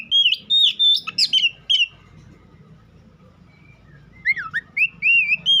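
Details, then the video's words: White-rumped shama song: a burst of bright whistles and sharp chips, a quiet pause, then swooping whistled phrases resume. "Dengar kicauan Kacer satu ini dijamin langsung nyaut Kacer manapun"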